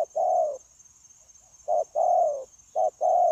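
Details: Newly captured wild spotted dove cooing persistently, recorded 9/1/2024 in a dove-trapping setting: two-part low coos, a quick note then a sustained falling one, separated by a brief gap, with a thin steady high tone behind.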